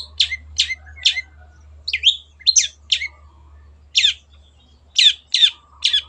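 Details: Spaced sharp chips and twisted whistled notes from a long-tailed shrike, delivered in small clusters with short pauses between them over a low background hum; the recording serves as a tutor for kept songbirds.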